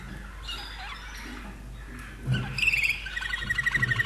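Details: Common nightingale kept in a cage in Austria, from 2011. Quiet start gives way to a fast chattering trill and a series of quickly repeated high notes. Steady low hum throughout.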